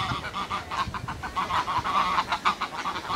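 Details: Short, fast series of nasal goose honks from two birds calling together on a rare occasion, pulsing about four to five times a second.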